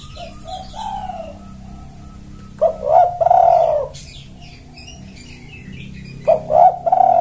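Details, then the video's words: Spotted dove cooing to call in males: repeated rough, throaty coo phrases, each a quick stutter into a longer sliding note, about every three seconds, with faint high chirps from other birds. "Pancingan Tekukur Memanggil Pejantan"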